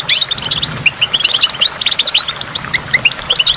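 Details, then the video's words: Goldfinch song recorded at a waterfall, a rapid jumble of high chirps, trills and rising slurred notes poured out continuously over a faint wash of running water. "in the waterfall stimulates goldfinch and water drops"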